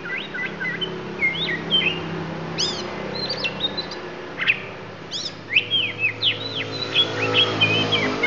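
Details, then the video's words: Oriental magpie-robin of Lampung origin delivering isian in a dense, varied run of quick whistles, high steep-dropping notes and chattering trills, almost continuous over a low droning hum. "Kacer Lampung Keluarkan Isian"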